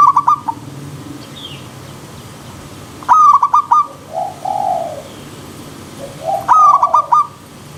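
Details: Zebra dove singing in a wild river-stream soundscape for elite bird training: three bursts of rapid staccato coos, answered by long, smooth, slightly rising coos in between.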